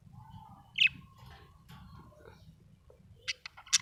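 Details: A happy budgie gives a sharp chirp early on, soft chattering notes in between, then a quick series of three or four bright chirps at the close; low background hum.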